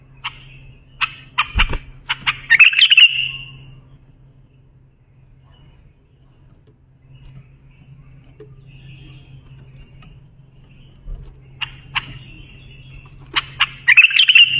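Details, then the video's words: Bulbul song, for teaching young bulbuls: a phrase of spaced sharp notes speeding into a dense chirping flourish, a long quiet gap with soft tones, then the phrase again at the end; a low thump and steady hum beneath. "بلبل للساناته إبداع يفيد للتخريج صغار بلابل"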